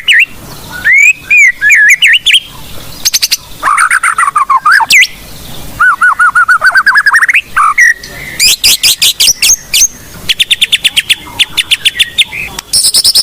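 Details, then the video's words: White-rumped shama of the blorok form in lively song full of mimicked fill-ins, used for luring and training birds: whistled slurs, a long wavering whistle, then dense trills and rapid chattering notes. "Murai Blorok Gacor Bongkar isian Pancingan Burung Murai Batu Bahan"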